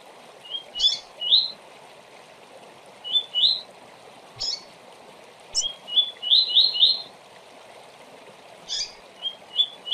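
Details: Double-collared seedeater fast 'tui-tui' song used to train young brown birds for singing tournaments: quick phrases of high, sweet, rising notes in short bursts every second or two, over a soft steady hiss.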